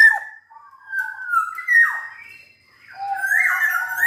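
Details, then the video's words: Black-naped oriole in active song: mellow whistled notes with slurred downward swoops, short pauses between phrases, and a final rising, rich fluty phrase. "Burung kepodang gacor dor"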